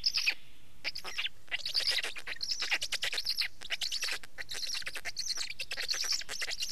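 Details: Black stork calling: dense, hoarse bursts with a whistled edge, repeated rapidly and irregularly, forming a continuous wheezy chatter with short pauses.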